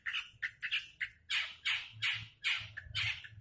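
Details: Long-tailed shrike sounding short scratchy notes that lead into longer grating squawks, repeated in an uneven rhythm.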